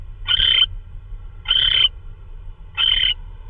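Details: Owl during a night prey delivery, perhaps a vole, March 16, 2013 at 3:12 AM. Three even, breathy hissing screeches about every 1.2 seconds, fairly regular, over a soft low hum.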